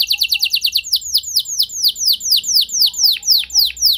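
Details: Canary lure song intended to set other canaries singing long: a fast series of high down-slurred notes slowing into broader, deeper swooping whistles about two per second.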